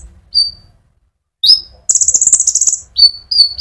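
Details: Konin sunbird in full rolling song, played to provoke other sunbirds: a thin high note, a pause, then a sharp chirp and a fast buzzy rattling trill, followed by two short whistled notes.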